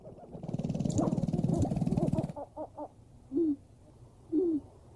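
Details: A Black grouse gives its low bubbling song: a fast, pulsing run of cooing notes lasting about two seconds, then three short separate coos. Two brief rising-falling calls follow, about a second apart, and the background is quiet.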